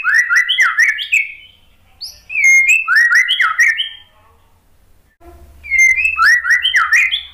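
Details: Murai batu, the white-rumped shama, singing a prompting song meant to make a quiet, stressed bird answer: rapid bursts of rich, varied whistles and sharp chips in three runs separated by short pauses, with a faint low hum.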